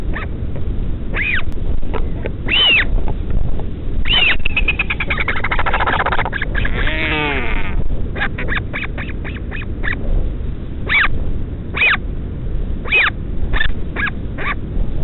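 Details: At a northern royal albatross colony on Pukekura/Taiaroa Head, Dunedin, New Zealand, a chick is fed by its parent at midnight: short nasal calls, rising upswept whines and a drawn-out wavering cry, repeated in bursts over low wind-like rumble.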